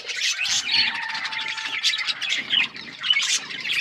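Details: Feeding budgies chirp and squawk in a dense high chatter, with a thin steady whistled tone threading through the middle.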